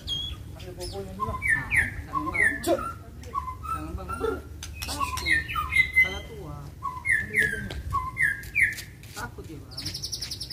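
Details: White-rumped shama, provoked into fighting song: repeated short slurred whistles and chattering notes in loose bursts, with faint voices beneath and a buzzy burst at the end.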